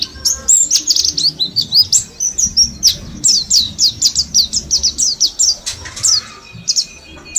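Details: Mount Slamet Mountain white-eyes, kept caged as a group and ten days into ngalas song training, sing a long run of sharp high chirps, steady and quick, ending in sparser notes with a brief low rustle.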